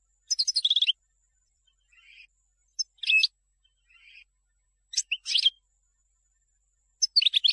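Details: European goldfinch song used to teach chicks: scattered short bursts of high chirps and quick trills separated by pauses, with a few faint, softer notes in between.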